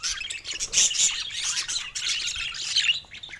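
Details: First calls of a young budgerigar: rapid, thin, high-pitched chirps and harsher squawking notes packed closely together, dropping off briefly near the end, amid continuous twittering from other birds.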